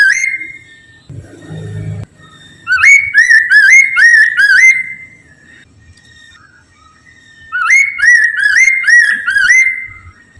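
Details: Lure song of a Poksay Mandarin laughingthrush meant to make others answer: two strong runs of looping, upward-swooping whistled notes in quick succession, with a brief low rumbling noise early on and quiet spells between.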